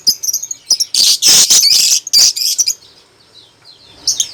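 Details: Lovebird singing steadily: a rapid run of sharp, high, shrill chirps and scratchy squeaks packed into dense bursts, then quieter scattered twitters.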